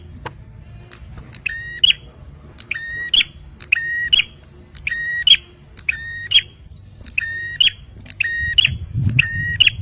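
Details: Bar-winged prinia male in full, energetic song: a long run of about nine identical sharp phrases, each a buzzy lower note snapping up to a ringing high chip, spaced about a second apart; a low rumble rises near the end.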